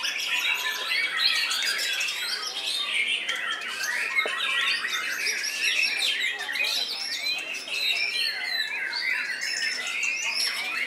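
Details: White-rumped shama in a cage at a contest, singing in an angry, combative style before judges: a long, unbroken torrent of fast varied twitters, slurred whistles and harsh notes that shift constantly in pitch.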